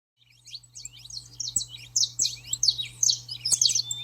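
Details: Saffron finch song used to train and excite a pet bird: rapid high chirped notes, many sliding downward, tumbling in quick irregular bursts and growing louder, over a steady low hum.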